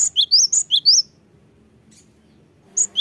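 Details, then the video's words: Singing cinereous tit used to goad lazy birds into song: a brisk second-long series of piercing repeated whistled phrases, a long pause with low hum, then the song resumes at the end. "Pancingan gelatik batu gacor‼️Untuk menaikkan emosi gelatik malas bunyi"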